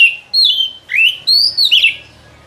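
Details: White-rumped shama song used as a lure for trapping in the forest: loud clear whistled phrases, a sweeping high note, a rising slur and a falling twisted whistle, separated by short pauses.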